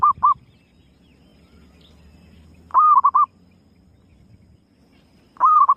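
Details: Lure calls of a female zebra dove: short bursts of rapid, soft, hooting coos, each a stuttered run of three to five notes, arriving about every two and a half seconds over quiet low background hum.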